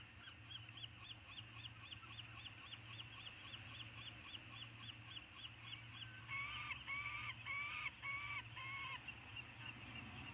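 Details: Three peregrine falcon eyasses together in their eyrie on Anacapa, 6 June 2019. A fast series of faint, repeated high notes gives way to louder, drawn-out wailing cries about once a second, over steady low hum and hiss.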